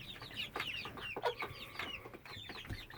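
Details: A 10-12 week old hen that has made a constant sound since 22 May 2017 while otherwise acting fine: rapid high chirping notes falling in pitch, closely repeated, with soft rustling underneath.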